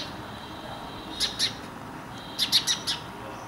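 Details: Indian house sparrow near human settlement in India giving short high chirps, a pair of notes followed by a faster run of four, over a faint steady background hiss.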